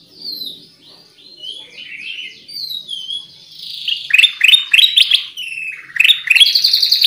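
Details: Black-crested bulbul song used to lure birds: it opens with gentle slurred warbles, then grows into loud rapid bursts of sharp repeated chirps that come in quick clusters toward the end.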